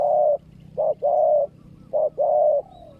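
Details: Loud, clear cooing from a spotted dove decoy used to lure wild doves: the long first coo, then two short-long pairs, each long note held steady and trailing off slightly.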